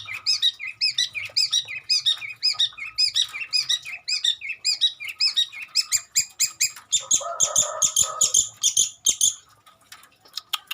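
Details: Long-tailed shrike song with imitations of many birds, a fast stream of repeated chirping phrases, shifting to a higher, thinner rapid trill, with a short low buzzy note partway through.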